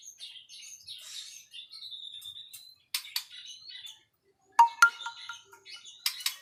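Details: White-rumped shama song of soft high whistles and scratchy notes, interrupted by sharp clicking sounds and a few clear ringing tones.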